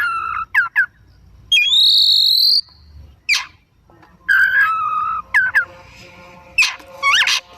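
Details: Oriental magpie-robin in full afternoon song: quick bursts of sharp chirps, a long bright high whistle and falling slurred notes, with short silent gaps.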